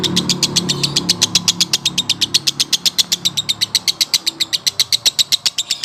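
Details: Male lovebird in a long konslet song, a regular rapid rattle of shrill high notes near four per second, steady and sustained throughout.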